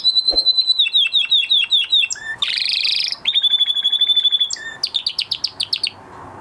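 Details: Male canary singing after the moult, running through varied tours: a fast rippling trill, a harsh buzzy burst, a long steady high trill, then sharp rising chirps in quick succession.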